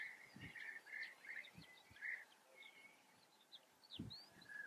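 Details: European bee-eaters filmed in the Eifel, Germany, giving soft, rolling trilled calls in a quick cluster that then becomes sparse, with thin higher chirps and a few low thumps in the outdoor background.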